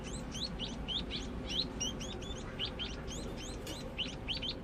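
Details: Young scaly-breasted munia learning to sing: a steady run of quick, thin, high chirps, many rising or hooked, repeated several times a second throughout, over a faint low hum.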